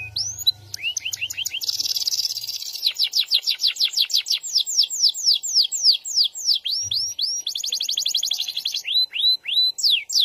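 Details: Canary of the SF type singing vigorously in long rolls: fast buzzy trills alternating with series of high whistled down-swept notes, repeated rapidly with barely a pause.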